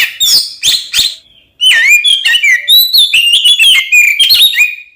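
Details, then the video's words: Oriental magpie-robin singing a provocative fighting song; a few harsh bursts, a short gap, then a run of clear whistled slurs and twisting notes, each phrase quickly following the last. "SUARA BURUNG kacer gacor NGEPLONG TARUNG konslet ini paling AMPUH buat PANCINGAN KACER agar EMOSI"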